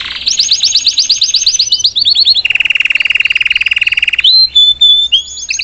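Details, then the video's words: Salsa canary song aimed at teaching a chick, starting with rapid descending slurs, switching to a fast low buzzy rattle, then short clear whistled notes. "Melhor canário salsa cantando para ensinar seu filhote a cantar/salsa canary singing live"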